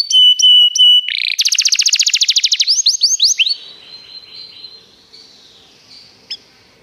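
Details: Singing canary on a training recording: three flat whistled notes, a buzzy burst, a dense rapid trill, a few swooping notes, then the song fades into quiet with a faint distant whistle and one sharp click.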